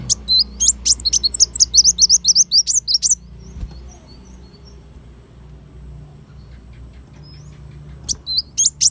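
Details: Kolibri wulung sunbird master song for cage-bird training: a three-second rapid series of sharp, high, slurred chirps, a long hushed gap with a faint hum, and a few final notes.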